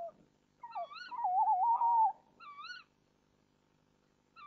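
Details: Tawny owl pair at a nest-box camera at 05:08 on 1 April 2014, as the male brings the female a mouse and chatters with her from a branch: short rising slurred notes, then a longer tremulous note, repeated about every two seconds.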